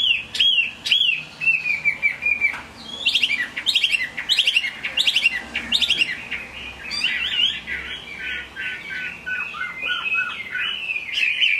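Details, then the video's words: Chinese hwamei song during rain: loud, varied whistled phrases with sharp descending slurs and rapid upward flicks, running in busy bursts across about twelve seconds, quieter twittering toward the end. "Họa mi hót trong mưa"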